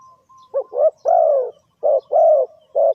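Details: Spotted dove call used as a lure for trapping birds: a long faint whistle, then low mellow coos in short and drawn-out notes, roughly three phrases in three seconds.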